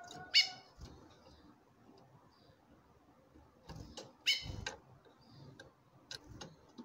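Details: A chestnut-bellied seed finch female calls to a male, giving two loud, short harmonic call notes about four seconds apart, with faint whistles and low knocks in the background.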